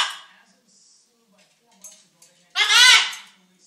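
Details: A hungry pet macaw seeking attention gives one loud, harsh, voice-like squawk lasting about half a second, after a few faint clinks in a quiet room.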